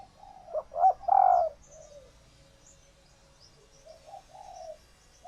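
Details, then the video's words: Female spotted dove kept in captivity, in laying condition, calling in a way said to stir males to coo for a mate; a loud burst of three hollow coos, then quieter trailing coos, with faint high chirps behind. "Tiếng Chim Cu Gáy Mái Chuẩn Kích Trống"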